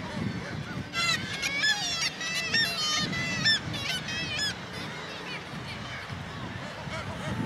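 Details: Kittiwakes at an inland nesting colony on the north side of the Baltic Mill in Gateshead on the Tyne, several birds giving repeated wavering, nasal calls in overlapping bursts about once a second over steady low traffic-like rumble.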